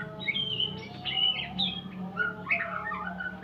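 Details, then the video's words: White-rumped shama practising during a mastering session: high thin whistles and squeaky slurred notes in short bursts over a noticeable low steady hum. "Murai pastol belajar Bunyi"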